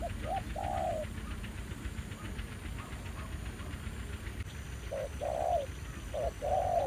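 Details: Spotted dove, a fairly aggressive new wild bird met while trapping with a ground decoy at an old site revisited after a year; paired coos, short note then longer drawn-out coo, at start and end over steady engine-like rumble.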